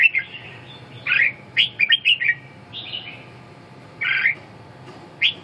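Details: Red-whiskered bulbul delivering short whistled notes, warbling slurred phrases spaced by brief pauses, over a low steady background hum.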